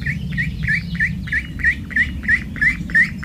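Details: Four ducklings out for a walk, peeping steadily: short, mid-high upslurred peeps repeated about three times per second over a low background rumble.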